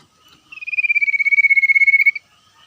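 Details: Wild common iora singing in the ngetir style while exchanging calls with other wild birds: one long, fast-pulsed whistled trill lasting about one and a half seconds, drifting slightly lower in pitch, with soft notes before and after.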